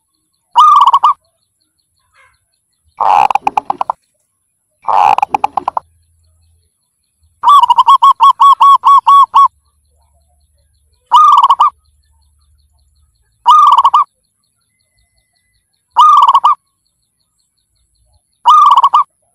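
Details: Zebra dove (Geopelia striata), cooing call.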